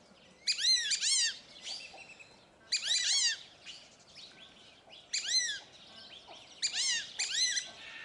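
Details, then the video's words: Captive flock of fulvous whistling ducks at a zoo in Upie, Drôme, France: shrill, downward-arching whistled squeals come in clusters roughly every two seconds, several birds overlapping. "Le Dendrocygne fauve est un oiseau sociable - Cris"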